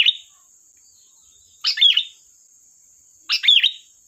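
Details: Sooty-headed bulbul song used as a lure for trapping: short bright chirpy phrases about 0.4 seconds long, repeated roughly every 1.7 seconds, with a steady high whine running underneath.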